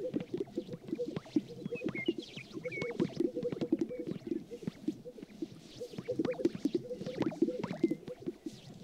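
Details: Springtime sage grouse lek on the prairie as the sun comes up, many birds dancing to win a partner: a continuous chorus of low, hollow plopping pops, with soft high whistles from other birds scattered through.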